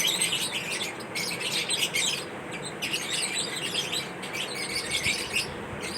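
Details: Lovebirds chirp and squawk almost nonstop, a dense chatter of shrill, high, overlapping notes in bursts that barely pause, reportedly during mating rituals.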